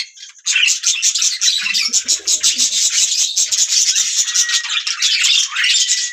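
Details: Budgie parrots burst into loud, continuous chattering: a rattling stream of fast high chirps and buzzy notes, with a brief thin whistle near the end.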